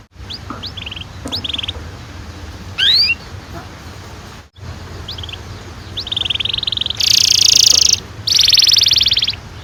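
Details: Canary song for prompting young canaries to sing: scattered short chirps and one rising whistle, then dense buzzy trilled bursts near the end, with a steady low hum in the background.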